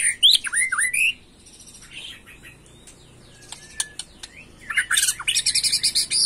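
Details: Agitated white-rumped shama in macul-style song. Loud swooping whistled notes come first, followed by a quiet stretch with faint clicks. Then a dense burst of harsh, rapid chatter follows.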